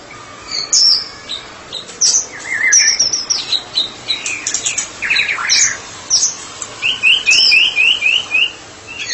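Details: White-rumped shama (murai batu), a therapy specialist bird, singing in full ngeplong style: varied high whistled phrases and sharp upslurs, ending in a fast run of six rising notes repeated about every quarter second.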